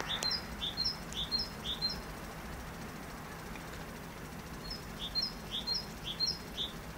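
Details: A great tit singing two bursts of its bright see-saw song: paired high notes, the second lower and fuller, repeated rapidly about five times, then a pause of a few seconds before the phrase resumes, with steady low background hiss.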